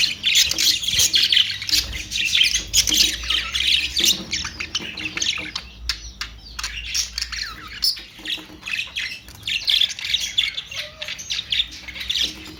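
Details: Budgerigars giving busy, high-pitched twittering with harsh squawks, rapid clicks and chirps packed closely together, easing briefly around the middle before building again.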